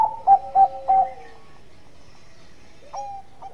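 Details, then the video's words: Zebra dove of the Bangkok type, a frequent caller, cooing to provoke rivals into calling: three loud, evenly spaced hooting notes about a third of a second apart, then a quiet stretch with a faint distant coo near the end. "Perkutut Bangkok Gacor Suara Bekur Pengundang bunyi lawan"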